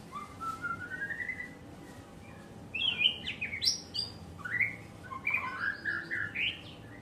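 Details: White-rumped shama song: rising whistled glides, then varied bright whistles, chirps and quick trills in separate bursts, louder in the second half, over a faint low hum.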